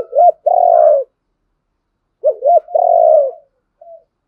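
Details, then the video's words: Spotted dove calling to provoke a rival to fight; two phrases, each of short upswept notes leading into a long level coo, separated by a second of silence. "tieng chim cu gáy thúc đấu vấy Bổi"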